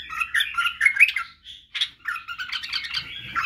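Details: Bubbling, chattering song of a white-eared bulbul (badrawi bulbul) for training chicks in singing, barwaz and wing-clicking; two short bursts split by a brief pause, then a busier stretch.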